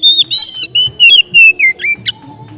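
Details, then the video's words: Kept Oriental magpie-robin singing its relaxed ngeplong style: clear, loud whistled phrases in quick succession, some sliding downward, mixed with brief buzzy harmonic notes, over a faint low hum. "suara Kacer ngeplong santai"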